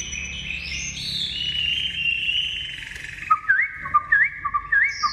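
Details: Newly arrived captive Chinese hwamei, tame and released indoors, singing: long, sliding high whistles, then loud rising upslurred whistles with lower notes, about one every half second. Faint background murmur.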